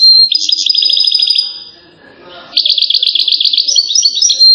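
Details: Goldfinch from Settat, Morocco, performing its salasiyat chain song: fast rippling runs of high, bell-like twitters, a brief pause, then another rapid, slightly buzzy chain of repeated notes.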